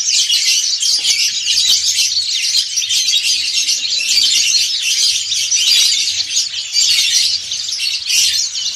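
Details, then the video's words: Group ngriwik song from many white-eyes, dakun and montanus types. A constant, loud tangle of high, shrill chirping and trilling runs throughout, thickening and thinning slightly from moment to moment, with a soft low hum underneath. "PLECI DAKUN NGRIWIK BERJAMAAH"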